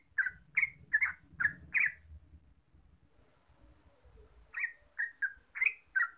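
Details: Trucuk, the yellow-vented bulbul, gives a string of sharp chirps, breaks off for about two seconds of low rumbling noise, then resumes with five more chirps.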